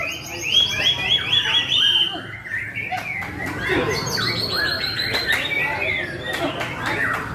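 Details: White-rumped shama singing intensely: rich, fast phrases of clear high whistles and trills, with rising and falling sweeps and sharp clicks, repeated quickly with little pause; faint background noise.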